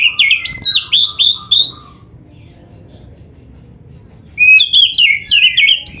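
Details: White-rumped shama song for training: loud looping whistled phrases rising and falling, repeated several times, a quiet gap of about two seconds, then more rich whistles and chirps.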